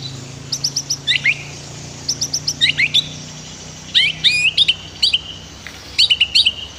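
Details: White-rumped shama singing on a master track for training birds: short clusters of high, crisp chirps and twisting whistles repeated in separate bursts, with a faint low murmur of running water beneath.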